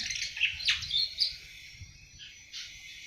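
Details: Young awar-awar bird of seven months beginning to sing, with a few loud ringing chirps and upward-sliding notes, then a lull and one more chirp.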